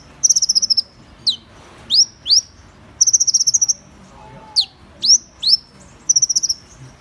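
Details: Van Hasselt's sunbird repeating a pattern: a rapid high trill followed by a few sharp down-and-up sweeping notes, cycled three times.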